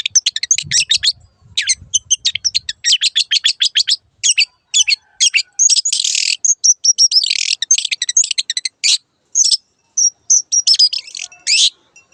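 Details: Long-tailed shrike (cendet) singing for a master recording used to tutor caged birds: long fast chattering runs of sharp scratchy notes, then harsh grating phrases and scattered chips, almost no background noise.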